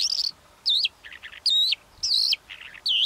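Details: Calandra lark song made of loud buzzy, slurred high notes alternating with softer lower chattering notes, roughly every half second.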